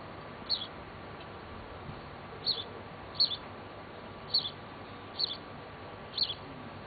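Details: A just-fledged house sparrow being fed by a female in Bad Sulza on 26 June 2009 gives short, high, sharp chirps, about six at uneven intervals, over a steady background hiss.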